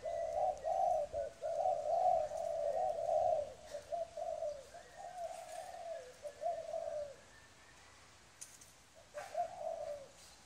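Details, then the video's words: Wild-caught adult spotted dove cooing: low, soft, hoarse phrases made of a few notes run together, repeated back to back for about seven seconds, then a pause and one more short phrase, with faint rustles. "Cu gáy bổi"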